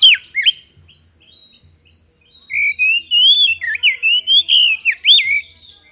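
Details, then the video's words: Magpie-robin lure song meant to make other birds answer quickly. Two sharp notes open, then a short pause, followed by a steady stream of loud slurred whistles that sweep up and down and repeat for about three seconds. "PANCINGAN KACER GACOR AGAR CEPAT RESPON, PANCINGAN KACER BAHAN"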